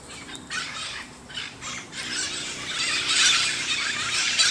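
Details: Parrots in Sunnyvale making noise, harsh broadband squawks and squeals rising and falling in bursts, growing louder toward the end, with a steady outdoor background hum.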